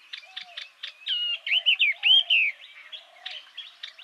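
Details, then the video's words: Yellow-eyed babbler song: a burst of clear, looping whistles rising and falling around mid-pitch, framed by quick, repeated chipping notes. "Tiếng hót Họa Mi Mắt Vàng. นกกินแมลงตาเหลือง"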